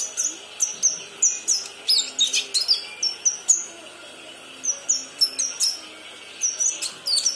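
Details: Juvenile kinoi learning to sing: quick clusters of thin, high tweets and squeaks, pausing for a few seconds before resuming with more rapid chirps, over a faint background hum.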